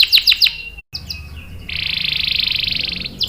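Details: Canary song used as a lure and master tutor for young and stalled canaries: three quick descending chirps, a short break, then a long, even, buzzy high roll of rapid pulses lasting over a second.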